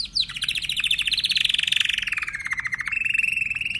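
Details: Timbrado canary singing a continuous rapid trill that starts high, slides gradually downward and then levels off into a steady pulsing roll, with a faint low hum beneath.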